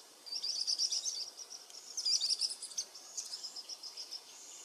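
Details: Varied sittellas at a nest in the Capertee Valley, Australia, from eggs to fledglings; rapid, very high thin chittering in dense runs, rising to a louder burst then tapering into steady repeated ticks.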